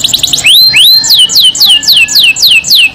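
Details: Singing canary, described as a lively, persistent singer with a long roll and rich song fill. High whistled notes sweep downward in a quick series, about four each second, after a few short rising slurs.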